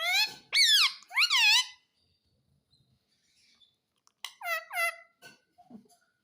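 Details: Pet talking parrot speaking human words indoors: three strong speech-like syllables with rising-falling pitch, then a long gap and two quieter, shorter syllables followed by faint clicks and rustles.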